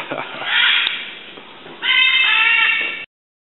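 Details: A recently released great green macaw, hand-raised and gaining confidence while chasing an aracari and a grey hawk, gives a brief harsh squawk, then a longer, loud, raucous call with a nasal, slightly wavering tone.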